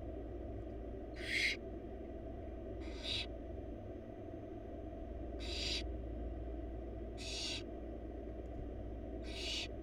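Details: Four barn owl babies in a wild nest box at feeding time, the mother bringing a big rabbit: five separate breathy, snoring hisses spread irregularly over ten seconds over a steady low hum.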